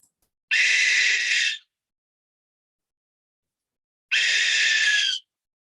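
Barn owl giving two harsh, hissing screams about a second long each, separated by a three-second pause, with silence around them.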